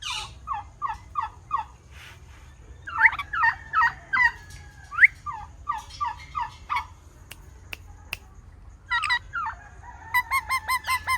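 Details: Parrot chirping in a natural setting: short, bright chirps repeated in quick runs of four or five, some rising and whistled, with a few sharp clicks and a faster chirp series near the end over a low steady hum.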